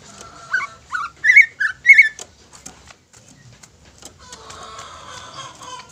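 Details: Greater green leafbird singing as a lure to provoke rivals: a few loud whistled notes in the first two seconds, then a softer, noisy warbled stretch.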